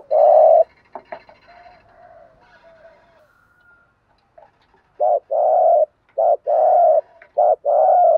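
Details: Spotted doves, male and female, coo to stir a trained bird: one loud coo, a stretch of soft murmuring, then three rapid short-long coo phrases in quick succession.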